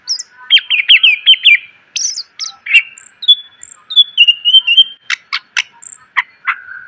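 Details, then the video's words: Greater green leafbird, recorded as training song for cage birds: a rapid stuttering series of whistled notes, then long level whistles and sharp chips, steady and clear. "MASTERAN CUCAK IJO SUARA PLONG!!! ..penuh isian.."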